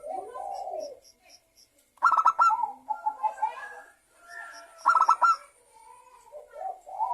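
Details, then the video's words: Zebra dove, local type, song used to coax other doves into singing; low purring coos alternate with two loud bursts of quick rattled notes, each followed by softer warbled trills. "perkutut lokal gacor suara pancingan perkutut agar bunyi"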